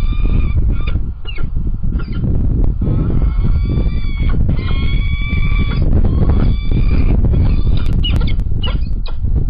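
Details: Peregrine falcon pair, male and female, at Illkirch-Graffenstaden on 17 April 2017 at 9:28, uttering repeated long, nasal, harmonic wails and shorter clipped notes, with strong buffeting wind noise throughout and a few sharp ticks late on.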